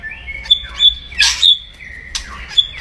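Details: Aggressive crackling of a caged white-rumped shama meant to rouse rivals: thin sustained high whistles broken by loud harsh rasping bursts and short sharp chips, fairly quiet background.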